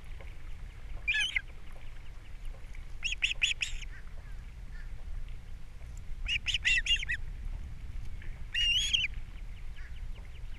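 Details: Ospreys at a nest on Captiva, April 3, 2022, during a fish delivery by the male and feeding of the chicks by the female. Four separate short bursts of shrill, whistled chirps are spaced a couple of seconds apart.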